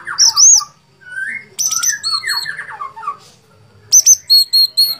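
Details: Sooty-headed bulbul, described as a lively fighter type, singing bubbly, downward-slurred whistled phrases in quick runs. Sharp, high repeated chirps come before and after the phrases.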